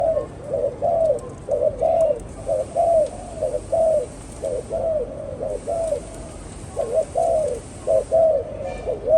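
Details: Spotted dove kept by a bird keeper, cooing in a steady run of soft, mellow two- and three-part phrases, roughly one per second, each note slightly falling, with a thin high hiss in the background.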